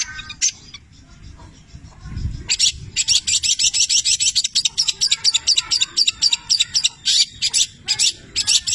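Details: Actively singing long-tailed shrike, 'petir' cendet, delivering a rich mimicked fill of labet and canary phrases; a brief note, a pause, then a dense run of rapid high twittering chirps continuing steadily.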